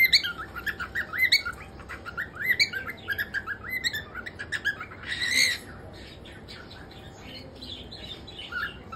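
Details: Male cockatiel chattering with fast chirps and short whistled notes, one louder harsh burst in the middle, then quieter scattered whistles.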